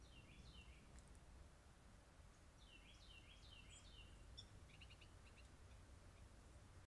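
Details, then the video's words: Dark-eyed junco (snowbird) on a deck, caught on trailcam, giving quick runs of high, downslurred chirps, then a few brief sharp notes that sound annoyed, over a steady low rumble of outdoor noise. "Love to hear the sounds of the birds singing. One sounds annoyed. Snowbird on the deck"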